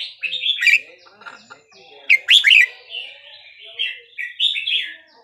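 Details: Caged red-whiskered bulbul singing in the Burmese song style, played to teach young birds and excite others: rich warbled phrases of slurred, gurgling whistles, bright rising and falling notes in quick bursts, with a few lower chattering sounds.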